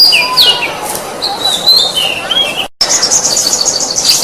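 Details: Oriental magpie-robin (kacer) masteran song for training songbirds: long whistled slurs and a descending sweep, a brief cut, then a fast high rattling trill.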